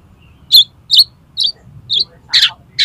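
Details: Oriental magpie-robin in the 'konslet' sound used to make another magpie-robin open its tail: harsh, scratchy notes repeated about twice a second over a faint low hum.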